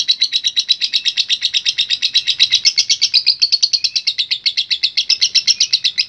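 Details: Lovebird in full voice giving a long ngekek, an unbroken rapid chattering trill of high, buzzy notes at about four per second, running steadily for the whole six seconds without a pause.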